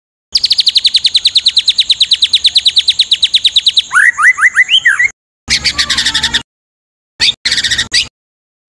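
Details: Rapid harsh rattle of a White-rumped shama in 'tembakan kasar' style, with full fill-ins, used as tutor audio for songbirds: nearly four seconds of fast pulsed buzzing notes, then looping up-and-down whistled slurs and choppy edited bursts of chatter.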